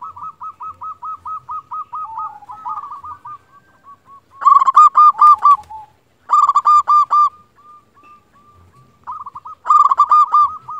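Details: Local zebra dove from Indonesia calling as a lure to stir other doves into replying: a long run of evenly spaced staccato coos, then two loud rolling, bubbly bursts and further quick notes, with quiet pauses between.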